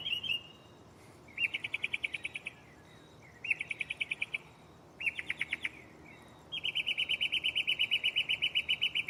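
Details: At night a mockingbird in a tree close by runs through its varied song catalog, here with buzzy rapid trill phrases about a second long, separated by pauses, ending in a longer steady trill.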